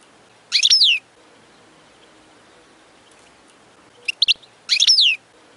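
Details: European goldfinch song played for teaching chicks. Two bright, high twittering bursts about four seconds apart, each a quick tumble of sharp, descending notes, with faint clicks just before the second burst.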